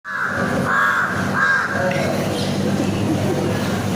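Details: A wild crow in the city gives three loud, harsh caws in quick succession, then falls quiet against a steady rumble of city traffic.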